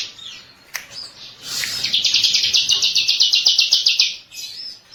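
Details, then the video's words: Favourite ciblek, or bar-winged prinia, on a master lure track: a steady, rapid, high-pitched rattling trill of about two and a half seconds. Softer chirps and a sharp click come before it, over a low background hiss. "MASTER PANCINGAN BURUNG CIBLEK KESAYANGAN"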